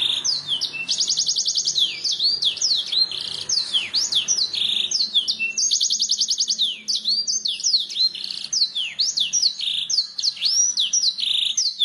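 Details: Canary singing in a masteran recording used to train birds to sing: long varied song of swooping whistled notes interrupted twice by rapid buzzy trills, sustained and loud over nearly twelve seconds.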